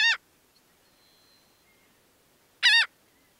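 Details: Two separate harsh, nasal squawks from a laughing gull, more than two seconds apart. Faint thin whistles can be heard between them.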